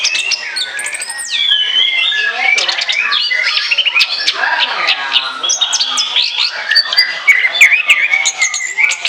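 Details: Loud, varied song from an Orange-headed thrush recorded as a lure: a downward-swept whistle, then fast chatter of squeaky, harsh and buzzy notes packed closely across the whole phrase.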